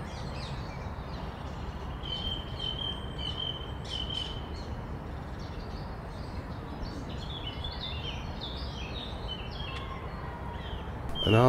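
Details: Male song thrush, one of a nesting pair, singing faint bright phrases with some repeated notes in Kensington Gardens, London, April 2016 spring, over a steady low rumble of city traffic.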